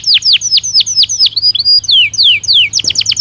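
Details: Belgian canary singing naturally, a recording meant as daily stimulus for training canaries; a run of high, quickly repeated down-slurred notes, several per second, that speed up into tighter sweeps near the end, with a faint low hum beneath.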